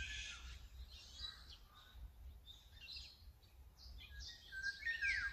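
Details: Azure-winged magpie calls come as scattered short, scratchy notes and quick downward slurs, with a clearer falling whistle near the end, against faint background noise.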